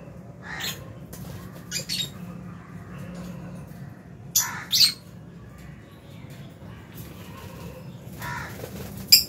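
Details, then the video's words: Aviary lovebirds at meal time in January 2023, including albino, Fisher's and lutino birds alongside a budgie; loud, bright, buzzy squawks arrive in irregular bursts separated by quieter stretches of low hum. "Lovebird Chirping Sounds"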